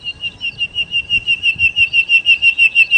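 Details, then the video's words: Nightingale, called sikatan londo in Indonesian, in loud singing: a steady series of pure whistled notes at one high pitch, about three per second, evenly spaced and even in volume, with faint low rumble beneath. "kicau Sikata Londo( Nightingale Birds )-Kicau Burung"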